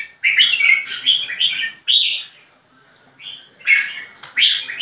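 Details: Energetic red-whiskered bulbul song aimed at finding a rival to fight: a rich, gurgling warble followed by a clear whistled note, a pause, then more loud liquid phrases.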